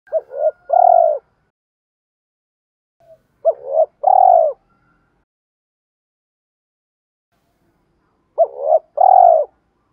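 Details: Spotted dove used as a decoy to lure wild doves and fight them: three clear coo phrases spaced about four seconds apart, each two short notes then a longer drawn-out coo, low and mellow, with silence between and no other sounds.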